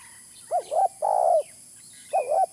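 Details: Spotted dove calling for use as a trapping lure: a two-part wavering coo followed by a long, even, hollow note, then the wavering coo again, low-pitched over a faint steady hiss.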